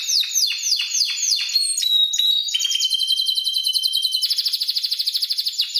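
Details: Spanish timbrado canary singing a tutor song for training other canaries: quick descending sweeps repeated several times a second, then clear sustained whistles, ending in a fast, even, rattling trill.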